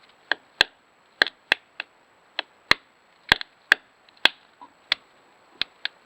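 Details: A Pileated Woodpecker pecks with fairly loud, sharp knocks on wood at an irregular pace, roughly two or three a second, like a carpenter hammering a nail; this sound is quieter than its drumming.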